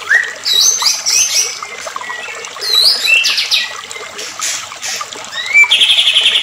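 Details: White-rumped shama song meant to provoke other shamas: scattered whistled and chattering notes, rising slurs and a buzzy trill at the end, with soft trickling background.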